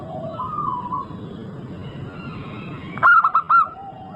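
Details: Lure song of a local zebra dove meant to start other birds singing: soft wavering coos, a quiet stretch, then a loud clipped burst of four ringing notes, with low hum throughout.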